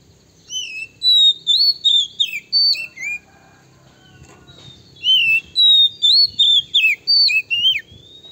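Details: Male Oriental magpie-robin lure song meant to provoke and anger rival birds. Two bursts of loud, sharp whistled notes, slurred up and down, each burst about seven notes in quick succession, with a short quiet gap between.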